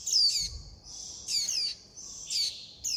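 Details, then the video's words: Young warbling white-eyes calling mother and flock for food, somewhat softer here. Slurred high chirps, several stacked together, rise out of a constant thin whistle about once a second, with one low thud early. "Tiếng chim vành khuyên non gọi mẹ - gọi bầy - đòi ăn"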